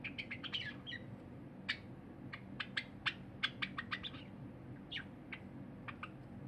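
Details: Singing cinnamon Java sparrow kept as a pet, 23 January 2021, with a silver Java sparrow eating beside it; a long run of sharp, bell-like clicks at irregular short intervals, a few down-slurred notes among them.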